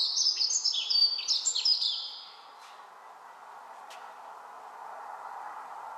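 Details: Dunnock, an abundant introduced bird around Dunedin, New Zealand, that hops quietly beneath hedges: a quick, high, jumbled warble of thin squeaky notes for about two seconds, then silence over a low hum.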